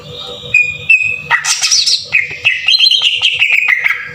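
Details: Cucak ijo (green leafbird) singing a harsh tembakan kasar lure that is used to rouse other birds. Short clear whistles lead into a loud buzzy burst, then a string of quick chattering notes that fall gradually. A low background hum is present.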